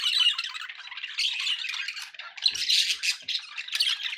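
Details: Several pet budgerigars chattering in a steady, dense stream of scratchy warbles, squawks and short chirps, with bursts of louder rasping notes and no clear pauses.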